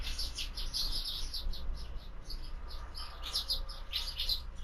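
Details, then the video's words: At a feeder, sparrows taking an afternoon snack keep up a quieter chatter of short bright chirps in loose bursts, recorded by a bird camera, with a steady low hum behind. "Воробьи в кормушке"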